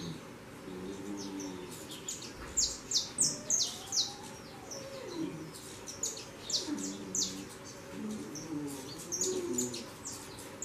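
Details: Saffron finch fledglings leaving the nest and flying, uttering rapid clusters of high, piercing chirps, with a lower, sliding, warbled sound from another source underneath.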